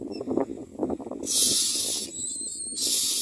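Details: Young mynas begging while being fed: a long raspy hiss followed by a thin whistled note and another harsh burst, with rustling and clattering underneath.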